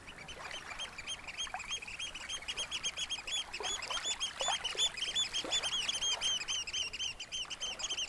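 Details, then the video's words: Eurasian oystercatchers squeaking late on a spring evening at Snettisham Beach, Norfolk, over almost-still water gently lapping the sandy shore; a dense, continuous stream of sharp, high piping notes repeated rapidly, overlapping callers, with soft wave wash beneath. "Gentle Waves and Oystercatchers at Snettisham Beach, Norfolk"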